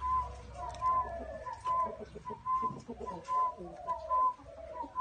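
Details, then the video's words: Spotted dove calling in a small garden, steady series of brief pure notes about once every 0.8 seconds, layered over softer, lower bubbling coos that rise and fall; quiet low hum behind. "Tiếng Chim Cu Gáy"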